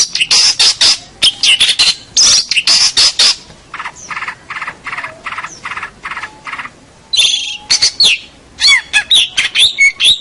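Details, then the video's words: Champion local long-tailed shrike singing a tutor song: harsh, buzzy broadband bursts in rapid irregular bouts, with short pauses and a few sharper chirps near the end. "Kicau Masteran Cendet Master Pentet Juara Cendet Lokal Oke"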